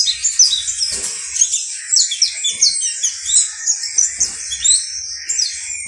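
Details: Saffron finch, Sicalis flaveola, or canario basto criollo, singing a varied rush of high chirps, slurred whistles and short trills with brief gaps, over a faint low background.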